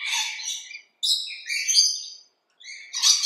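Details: Rainbow lorikeets in a backyard utter three or four separate harsh, squealing screeches, each under a second long, with quiet pauses between them.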